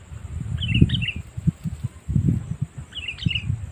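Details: Sooty-headed bulbul calling to lure wild birds for trapping: two short bubbly, fluty phrases a couple of seconds apart, with soft low thumping sounds underneath.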